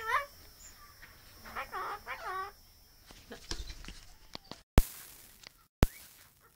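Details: Hand-reared pet Australian king parrot chatting: a run of rough, harmonic squawky notes early on, then scattered soft clicks and two sharp knocks.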